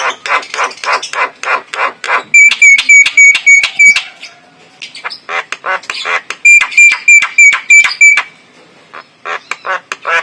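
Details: Clear-voiced male white-eyed Javan myna used as a lure: long runs of harsh, rasping chatter broken by bursts of bright, metallic, ringing whistled notes repeated in quick rows.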